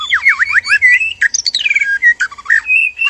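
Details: White-rumped shama male and female in captivity during breeding arousal: loud looping whistled notes swooping up and down in quick succession, with harsh scratchy notes between.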